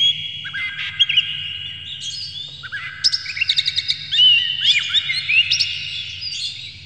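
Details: Oriental magpie-robin song played as a lure to excite birds into singing and tail-spreading; layered sustained whistles overlaid with fast stuttering chips and looping slurred notes, growing busier toward the end.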